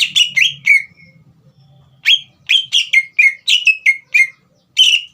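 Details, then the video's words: Caged green leafbird in full voice to provoke a young speckled bird: bursts of quick whistled, slurred notes, separated by a short pause, then a longer rapid run and a final note. "CUCAK IJO GACOR INI SPONTAN MEMANCING EMOSI CUCAK IJO BAHAN TROTOL AGAR GACOR"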